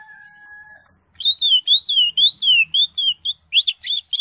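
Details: Greater green leafbird in ngekek song: after a brief steady two-tone whistle and a moment's silence, a rapid chatter of high, wavering whistled notes rolls on about four per second, ending in rougher, buzzier notes.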